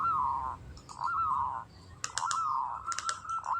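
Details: Local kantong semar zebra dove in breeding condition, ngretek song: drawn-out, slurred cooing notes that dip and rise, interrupted by bursts of sharp clicks.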